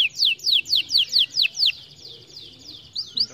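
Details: Song of a canary, played to encourage lazy canaries to sing: a rapid series of high descending whistled notes, about two per second, then a pause and two brief rising notes.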